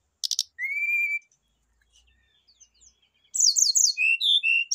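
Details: Rufous-chested flycatcher singing in a lure recording for kept birds: two short high bursts, then a long steady whistle, a quiet pause, and a rapid run of buzzy, tumbling high phrases ending in short whistled notes.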